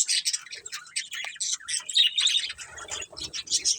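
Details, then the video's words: Several budgerigars chirping: dense, scratchy warbled chatter with rapid high twitters and squeaky notes tumbling over one another without pause, a few brief low thumps underneath. "Cute Budgies Chirping Sounds"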